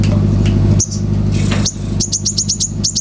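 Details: Common iora song: after a few single high whistled notes comes a rapid run of sharp, evenly repeated chips, with a deep background drone.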